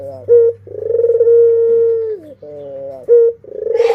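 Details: Barbary doves, a parent and chicks kept as pets, give a brief rising note, then a drawn-out level coo that drops at the end. Another short note and coo follow, closing with a faint hiss.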